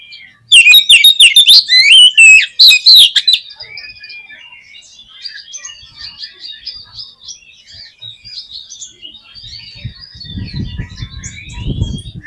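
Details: Oriental magpie-robin song meant to provoke a pet bird to sing: three seconds of loud, rapid, varied whistles and harsh notes, then soft high twittering from distant birds with low murmurs late on.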